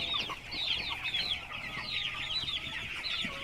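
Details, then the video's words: Young chicks peeping busily, bright arched chirps overlapping in a constant high chatter with little pause. "Baby Chicks Chirping Sounds | Small hen sound | Big sound of Hen kids ( Baby Chicks Chirping )"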